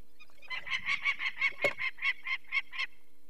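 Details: Alarm of a Peregrine falcon near its nest, Barycz Valley, Poland, 2 May 2023, while people removed a chick with eye problems: a dozen harsh, grating kek notes in quick, even succession, about four each second.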